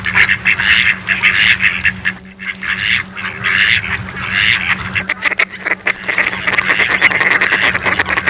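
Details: Mallard ducks give hoarse, raspy chattering calls in an irregular stream with a brief lull midway. The calls are noisy rather than tonal, over a steady low hum.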